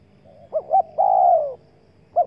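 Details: Single spotted dove phrase used to lure wild doves: a faint lead note, two short coos and a long husky falling coo, then the start of the next phrase, with low hum behind.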